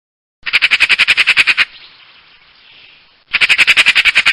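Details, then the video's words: Magpie giving two bursts of harsh, rapid, rattling chatter, each about a second long with a dozen evenly spaced dry notes, separated by a short quiet pause with faint background hiss. "Saksağan Kuşu Sesi"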